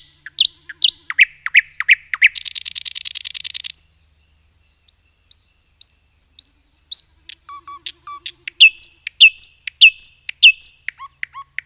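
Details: A nightingale sings in woodland: scattered sharp chips lead into a dense, fast buzzy trill lasting over a second, followed by sparse high ticks, low fluting whistles and a run of bright repeated notes.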